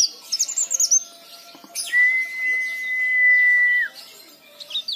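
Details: A leaf warbler in vigorous song, used as a lure for other leaf warblers, gives quick, high twittering phrases, then a long, pure, steady whistle held for two seconds that drops away at the end, with more thin high twitters; faint hum underneath.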